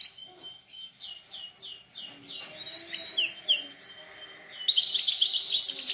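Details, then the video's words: Canary song used for canary training: a series of about eight descending slurred whistles repeated roughly every third of a second, then softer mixed notes, ending in a loud dense high trill. "canary singing best video to training canaries birds"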